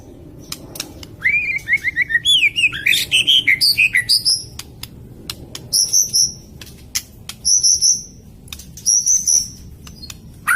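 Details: White-rumped shama singing as a lure, a varied run of quick whistled notes sliding up and down, then repeated high thin trilled phrases separated by brief gaps, with sharp clicks between.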